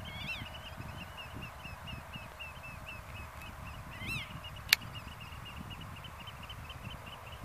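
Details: Rapid repeated high notes from a black-tailed godwit near Zoeterwoude, Netherlands, with a few louder swooping wavering calls and one sharp click partway through, over background rumble.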